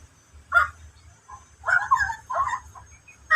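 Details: Endemic bird giving harsh, raspy calls in short bursts, one brief note followed after a pause by a run of three or four rough, noisy phrases, with a faint low hum and a steady thin high tone behind.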